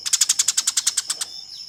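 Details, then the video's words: Fighting Eurasian tree sparrow, kept as master audio for tutoring contest birds, gives a quick run of a dozen sharp, scratchy chirps lasting just over a second, then falls silent beside a constant thin whine. "Suara Burung Gereja Tarung"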